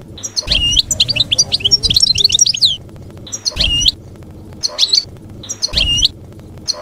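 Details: Goldfinch field-style song (canto campero) for tutoring juveniles: short phrases of bright, jingling twitters repeated about every one and a half seconds, with a steady low hum beneath.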